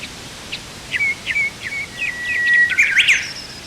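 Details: Rosy pipit, a vagrant bird on Oeyeondo island, Korea, in spring: a run of short, thin chirps, then a long even whistled note and a brighter burst of sharp notes near the end, over faint steady background hiss.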